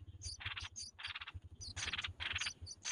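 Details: Red-whiskered bulbul chicks fed by their mother, giving harsh, raspy bursts of begging calls topped by thin high squeaks, in quick repeated runs over a steady low throbbing hum.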